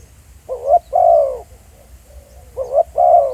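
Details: Spotted dove recorded on location outdoors, giving two paired coo phrases. Each phrase is a brief rising note leading into a longer, husky, falling coo, with a soft low murmur in between.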